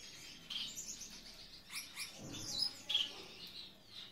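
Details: Gouldian finch during a courtship dance while choosing a mate: thin high chirps and short squeaky notes scattered irregularly, some louder bursts near the end, over faint background hiss.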